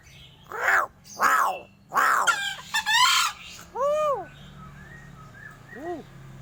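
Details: Crow giving strange sounds: three harsh, rasping caws in quick succession, then a short chattering burst and two smooth, arched, whining notes a couple of seconds apart, over a low background hum.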